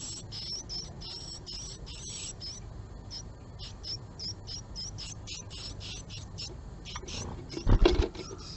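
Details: Japanese tit at a male's nest box on a March 2022 morning during a female's visit; rapid series of high, thin chirping notes repeated steadily, then a loud low thump near the end.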